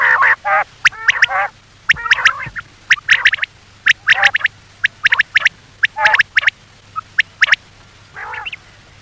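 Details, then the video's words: Night lure recording of common quail: quick sharp notes in clusters of two or three, interspersed with throaty nasal bursts, continuing at an uneven pace of about one burst per second. "batair ki awaz for night batair ki new awaz 2023 بیٹر کی آواز صبح شام کے لیے"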